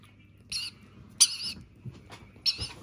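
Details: Begging rainbow lorikeet chick during feeding: three rasping, buzzy squawks roughly a second apart, the middle one loudest and longest, with faint rustling and soft thumps in between.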